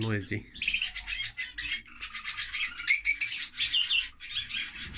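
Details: Lovebirds described as too noisy keep up an almost unbroken high, scratchy chattering of rapid clicks and squeaks, louder around the third second, after a short human voice at the very start.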